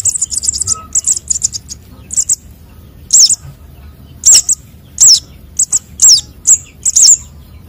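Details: Thin, very high sunbird chick calls used as a trapping lure: a quick burst of tiny chirps, then sharper, louder squeaky notes about once a second over faint background rumble.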